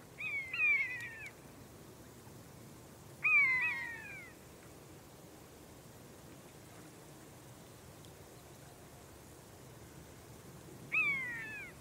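Brent goose giving three nasal, harmonic, down-slurred calls in short bursts, spaced several seconds apart, over a soft background hiss.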